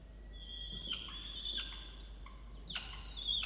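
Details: Peregrine falcon in a nest box on a water tower in Orange, New South Wales, Australia, 8 November 2022, angry at its mate over a missing breakfast: a few drawn-out, harsh, high wailing calls separated by pauses.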